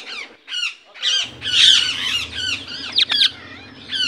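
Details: Indian ringneck parakeet squawking in a dense harsh series, with a low mechanical hum starting partway through.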